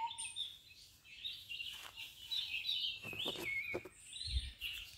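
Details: Red-vented bulbul feeding its babies: busy high, thin chirps and squeaky notes crowd together in quick, uneven bursts, with a faint steady low whistle early on and a soft thud near the end.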